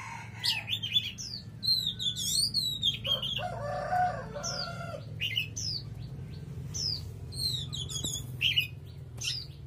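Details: Strong song of an Oriental magpie-robin: varied whistled phrases and clipped chirps. Around the middle a brief, lower, rooster-like clucking is heard, over a steady low background hum.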